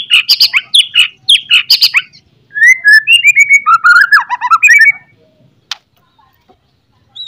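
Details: White-rumped shama in loud morning song, played to provoke fighting spirit: a series of harsh chattering bursts, then varied whistled phrases sliding downward into rich warbles, followed by near silence and one sharp click.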